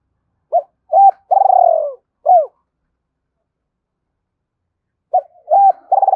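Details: Spotted dove cooing to provoke wild doves, in Hải Hậu calling style: clipped low hooting notes, then a long, rough, purring coo, another short hoot, and after a silent pause a fresh run of coos.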